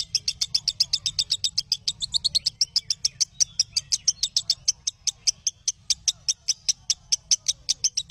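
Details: Training recording of lovebird song for teaching captive lovebirds varied phrases: a long, rapid series of sharp, high chirps, dense and fairly even throughout, with a steady low hum underneath.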